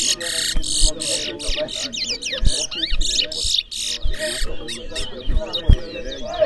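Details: Race twa-twa at a bird ground in New Amsterdam, Berbice, Guyana, pours out a long sequence of buzzy rattled phrases and looping whistled slurs, closely repeated. Spectators talk quietly and thuds are heard.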